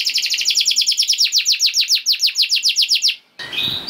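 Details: Canary 'gacor' lure song for prompting other canaries to sing: a steady, fast, rhythmic trill of high, sharp, falling notes lasting about three seconds, then an abrupt cut to a different buzzy fragment.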